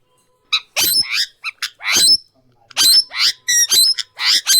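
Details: Natural voice of an Indian ringneck parrot: irregular bursts of harsh, buzzy squawks mixed with short chattering notes of varying length. About one call every second, with no background music.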